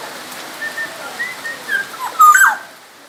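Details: Soft, drawn-out whistles from a Black-naped oriole from Sumbawa build into a louder, twisting fluted phrase near the end, with a light background hiss.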